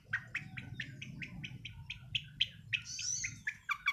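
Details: Sembur-style song from a young long-tailed shrike not yet finished moulting, groomed as a future contest bird: a fast run of sharp repeated chirps about five per second, then a buzzy higher burst and more chirps, over low background rumble.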